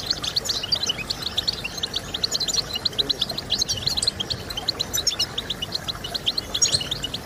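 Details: European goldfinch twittering used as a singing stimulus: quick, regularly pulsed tinkling notes repeated several times a second for the whole stretch, lively and liquid, with light background hiss.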